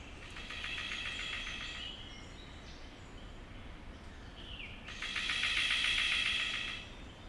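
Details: A male Golden Bowerbird at his bower gives harsh, rattling, buzzy advertising calls, likely to attract a female, in two rapidly pulsed, high bursts with a brief rising squeak between them and a steady background hiss.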